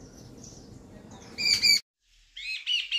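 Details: A jungle babbler sitting on a chair at a house gives harsh, squeaky, nasal calls in short bursts: a pair of notes, a brief pause, then three more, over a faint low background hum.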